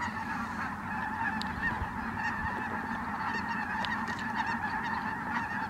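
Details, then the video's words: Ross's geese flying in at Merced National Wildlife Refuge on 22 December 2017, a large flock giving a continuous dense chorus of nasal, overlapping honks and yelps with no pauses. "Ross's Geese Flying In"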